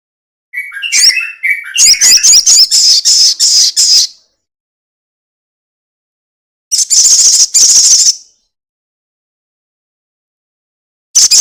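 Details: Crested jay in a long rattling call used as a lure to make other birds sing: mixed chattering notes open into a fast, even rattle of dry pulses, repeated after a pause of about two and a half seconds.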